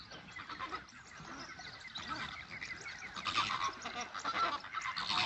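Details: Chilean flamingo flock at WWT Slimbridge in March 2020 during group courtship display, a dense overlapping chorus of nasal honking calls that swells louder toward the end.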